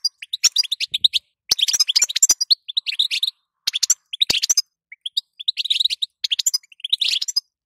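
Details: Female European goldfinch calling so that the male will sing: near-continuous fast, high twittering chirps in bursts of one to two seconds, with a few sharp clicks between phrases.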